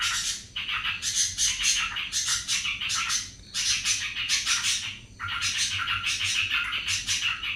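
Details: Yellow-vented bulbul in ropel style, pouring out dense, scratchy, rapid phrases in long runs of one to two seconds, with short breaks and a few clearer whistled elements mixed in.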